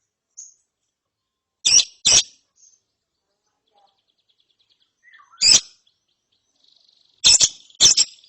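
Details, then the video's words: Lovebird chick after therapy gives loud raspy high chirps in pairs, separated by quiet gaps of several seconds, with a faint thin note at the start. "ANAKAN LOVEBIRD NGERIWIK SETELAH DITERAPI"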